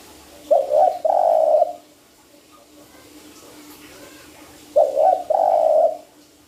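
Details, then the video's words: Spotted dove lure call used for trapping birds: low hoarse coos in a short phrase, a brief note then a longer rolling coo, repeated twice about four seconds apart over a quiet background. "SUARA PANCINGAN TEKUKUR"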